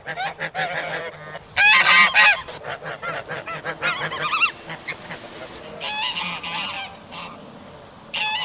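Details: Swimming geese produce irregular bursts of nasal honks, one very loud harsh cluster early, then quicker softer honks and further scattered calls from several birds.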